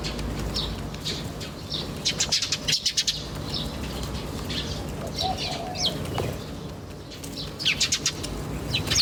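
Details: Birds chirping outdoors in nature, giving quick bursts of high, thin chirps in little clusters, with a run of rapid notes near the middle, over constant low background hum.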